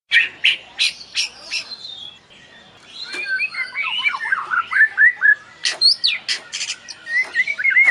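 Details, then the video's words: White-rumped shama (murai batu) song used as a lure to set caged birds singing: sharp chirps, a short pause, then fast tumbling whistled phrases with sliding notes, ending in rising clear whistles. "Suara Pancingan Burung Murai Batu..Di jamin Langsung Gacor."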